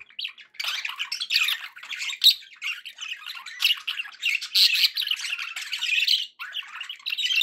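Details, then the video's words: Budgies kept as pets sing a long, dense chattering warble of harsh squawks, clicks and bright chirps, steady throughout with a short break near the end. "budgie sounds to encourage your parrot to eat and sing"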